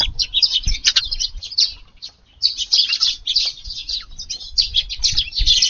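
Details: Evening gathering of many wild Eurasian tree sparrows feeding in a garden on 6 July: bursts of busy chirping that pause briefly and then resume, along with occasional soft thuds and wingbeats.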